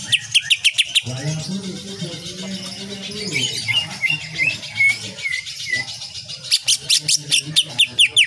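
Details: Greater green leafbird song with shots, tutor material for caged birds in kapas tembak nyengklir style: sharp staccato notes open and close the passage, with softer twittering and brief whistles between and a low hum beneath.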